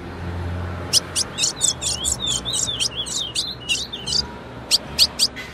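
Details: Female ultramarine grosbeak, recorded to make males sing: a rapid string of bright, crisp chips with twisting tails, then a few spaced ticks, over light background noise.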